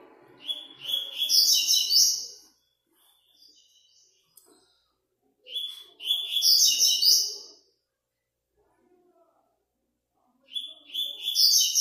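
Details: Double-collared seedeater competing in the fifth stage of an online singing tournament: three loud, high, buzzy trilled phrases, each about two seconds long, roughly every four to five seconds, over faint low background murmurs.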